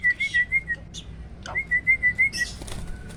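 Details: Kept hybrid of Asian pied starling and black-winged starling, loud and clear, performing 'roll tembak' vocal-tutor song: two runs of rapid, evenly pitched whistled notes, separated by a short rustle and a scratchy noise.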